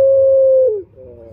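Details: Male turtle dove, used to lure males, holding one long steady coo for most of a second before it slides downward and fades into a faint low murmur.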